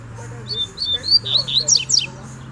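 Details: Double-collared seedeater singing in the wild bush, calling to fight over territory: a run of clear whistled notes rising and falling, ending in quick steep downward slurred strokes, over a low hum.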